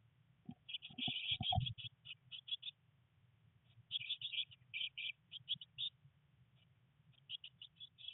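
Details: Three Eurasian blue tit nestlings in a nest box on day 19, a rainy day of first flight attempts, give rapid high chirping bursts in irregular runs, with low thumps and rustling as they shift about.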